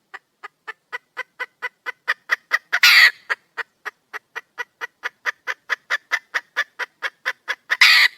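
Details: Wild junglefowl hen calling for a mate: a long, accelerating train of short clucks, about four per second, with two loud rasping bursts, one midway and one at the close.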